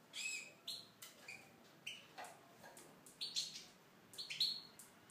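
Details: Song of a Tunisian goldfinch housed in an aviary, a run of sharp high tweets and liquid twittered notes spaced roughly a second apart, some with a metallic buzzy edge.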